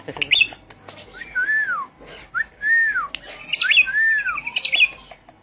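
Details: Javan pied starling song used as a lure for a kept bird that has gone quiet: clear, loud, down-curving whistled notes alternating with sharp high chirps and squeaks.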